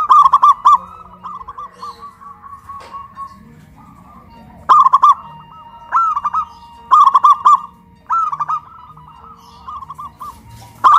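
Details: Local zebra dove in Kuningan, West Java, caged and raised high on a pole, singing loudly in a duet of big-voiced and crystal-voiced birds: bursts of stuttering, rolling coos, each phrase a quick run of clipped notes, repeated several times.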